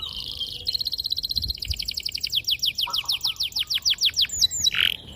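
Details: Training song of a canary for young birds learning to sing: a buzzy trill gives way to a long run of descending whistled notes, about three per second, ending in a sharp slur.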